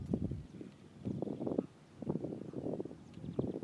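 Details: American flamingos (Phoenicopterus ruber) at Marano Lagunare, 4 April 2024: several birds giving low, goose-like honks and grunts in irregular overlapping bursts over a soft rustling background.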